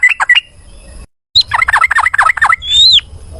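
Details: Yellow-vented bulbul, male, singing a fast fighting-style phrase: a few bubbly whistled notes, a short break, then a quick chattering run ending in a high, slurred, rising-falling whistle, with faint low background hum.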